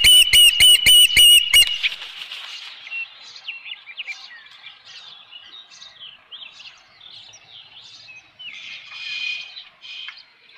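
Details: Osprey at a nest on a ranch, with a fish, on 19 May 2018 in the late afternoon: a loud run of five evenly spaced sharp whistled calls, followed by softer, varied chirping notes.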